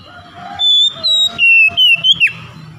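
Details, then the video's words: Lure song of an Oriental magpie-robin, meant to prompt silent birds into singing: a run of long, pure whistled tones stepping between pitches, closing with two quick notes and a falling slur, with background hum and a faint lower tone. "PANCINGAN KACER BISU MALAS BUNYI AGAR CEPAT NGEPLONG DAN GACOR"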